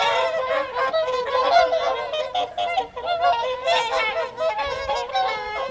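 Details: Whooper swans crowding the Folly Pond at Caerlaverock for their evening feed in January 2023: loud, continuous nasal trumpeting from many birds, notes overlapping densely with brief dips in volume.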